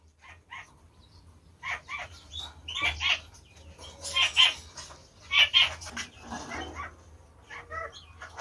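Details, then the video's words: A captive female cockatiel is alone after killing her mate and is waiting for a new partner. She gives a run of short, sharp chirps, some doubled, with louder bursts in the middle, over a low steady background hum. "Cocorite | In attesa di un compagno"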